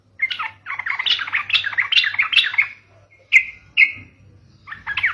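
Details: Sooty-headed bulbul song played as a lure for other bulbuls: a long, busy run of lively chattering and warbled notes, then two sharp separate chirps and the start of another bubbly phrase, over a faint low hum.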